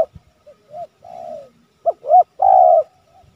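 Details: A spotted dove calls to provoke and lure wild doves, giving soft mellow low coos in two phrases of short notes, each ending in a longer drawn-out coo.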